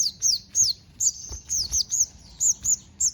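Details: Sogon singing a song filled with imitations of house sparrow, cililin and canary: high, thin whistled notes that bend down, repeated about three times a second in short bursts over a quiet background.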